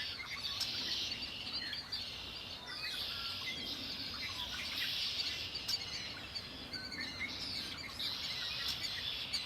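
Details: Lake Erie birds in full song, with high chirping trills layered from several singers, pausing briefly now and then over a low hum of background noise.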